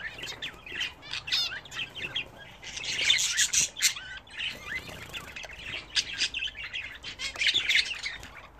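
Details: Several home-bred budgerigars chattering while bathing: a continuous rapid, buzzy warble of clicks, squeaks and trilled notes, swelling into louder dense bursts midway and near the end.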